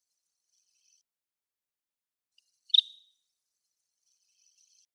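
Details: A greater sand plover on a lawn on Yonaguni Island gives one short, high, slightly rolled note, lasting under half a second, against an otherwise quiet background with faint high hiss.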